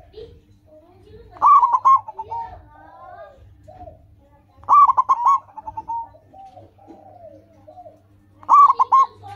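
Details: Zebra dove of local stock in vigorous song, a lure for training caged birds to sing fast. Short bursts of rolling coos come every three to four seconds, with faint lower bird calls between them.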